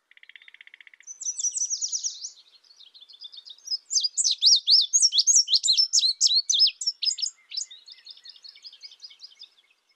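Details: After a low, even pulsed trill and a buzzy rattle from other birds, an indigo bunting gives a long, fast string of bright, high, slurred chirps.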